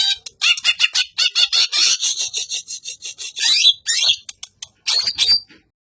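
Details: Greater green leafbird singing a rough-voiced song meant for tutoring other songbirds; dense run of rapid, harsh chattering notes mixed with squeaky whistles, ending in a few sharp calls before silence.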